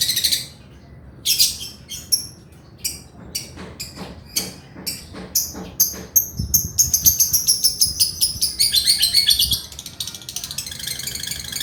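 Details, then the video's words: Male lovebird in full chatter, kept as a tutor recording to get lazy or young birds singing. Sharp high chirps come in uneven bursts, then merge near the end into a rapid, continuous rattling trill. "SUARA BURUNG LOVEBIRD GACOR JANTAN"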